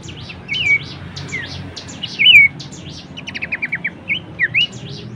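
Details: Horsfield's babbler song used as a tutor recording for songbirds: clear slurred whistles that fall or rise, with a quick run of short even notes near the middle. Thin high chirps from other birds and a low hum sit beneath.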